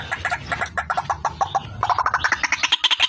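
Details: White-breasted waterhen, female, lure recording: quick series of short clipped notes, about six per second, rising in pitch toward the end.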